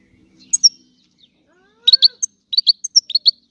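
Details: European goldfinch from Sicily singing a rare old-style song: two separate pairs of high chirps, then a quick run of sharp twittering notes in the second half, with a soft, low hum faintly underneath.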